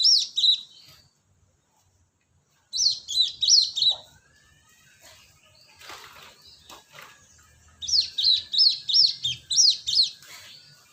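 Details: Cinereous tit call used as a bird lure: three bursts of high, clear, bouncing whistled notes, each a quick run of four to six notes, separated by gaps with faint rustling and soft background noise.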